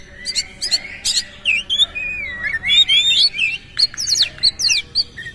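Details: An energetic Oriental magpie-robin with open tail sings coarse 'isian' material. Quick staccato chips lead into a long wavering whistled phrase, followed by rapid ringing high notes.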